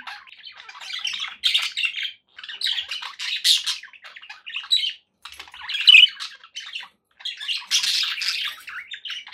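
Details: Domestic budgerigars chatter in soft, scratchy warbling phrases with high squeaky chirps, separated by short gaps.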